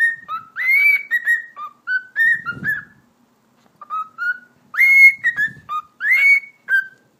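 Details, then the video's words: Cockatiel kept as a talking pet performs a string of whistles: rising sweeps, held tones and quick hopping notes that move up and down in pitch. A soft low rustle interrupts midway, and a brief pause precedes more upswept whistles. "Sultan Papağanı Konuşması - Eşek Sıpası Diyor"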